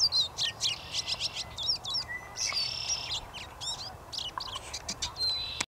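Wilson's Warbler giving a quick run of sharp, high chips in a chattering burst. Scattered calls and a buzzy trill from other birds overlap it.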